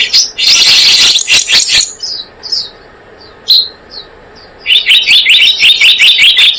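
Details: Blue-eared kingfisher sound played to lure birds into traps: an opening burst of shrill chatter, scattered thin high notes, then a fast even series of piercing repeated notes.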